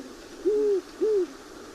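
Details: Great Horned Owl pair duetting, one bird higher-pitched, so likely male and female: two deep, soft, slightly arched hoots about half a second apart, over a faint background hiss.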